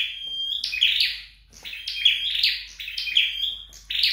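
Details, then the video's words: Flowerpecker at home singing a clear thin whistle, then a run of high, harsh, stepped buzzy notes interleaved with brief whistles, phrases about one second apart. "Dợt Sâu Đầu Đỏ Tại Nhà"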